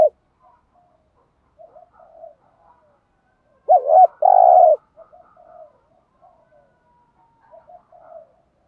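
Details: Training decoy spotted dove cooing to train newly caught doves: one loud two-part coo midway, a wavering note followed by a steady hum, surrounded by scattered faint, quieter coos.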